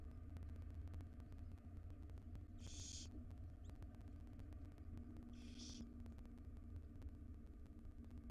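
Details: Wild barn owl owlets, five chicks in a monitored nest box, begging as their mother feeds them breakfast: two harsh, hissing, snore-like bursts about three seconds apart over steady low hum.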